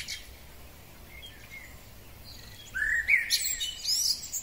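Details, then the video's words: Male common blackbird's spring song: a few faint notes, then a brief, mellow, fluted phrase sliding upward and a thin, squeaky twitter. "Kos samiec, piękny wiosenny śpiew."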